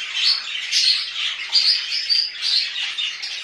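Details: Budgerigars in home care chatter busily: overlapping squeaky notes, short whistled chirps and rasping squawks pulse in quick bursts, about every half second.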